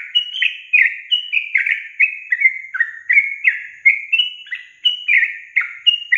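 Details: Lure song of the sooty-headed bulbul for caged young birds slow to sing: continuous cheerful, liquid whistles, each note slurred downward, delivered in rapid clusters with short gaps.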